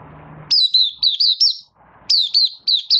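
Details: Caged Malaysian oriental white-eye in minor moult, building form, 24 August 2023. Opening song comes as two sharp bursts of bright, downslurred high whistles, each of four or five quick notes, separated by a short pause, with low background hum.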